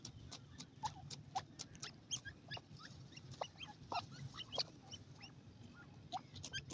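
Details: Playing francolin young make a busy patter of quick clicks and short chirping peeps, several per second and irregular, over low background rumble.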